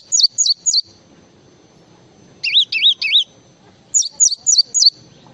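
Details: Java sparrow in full varied song, giving three separate runs of three or four wavy, warbling whistled notes, high-pitched and evenly spaced, separated by short silences.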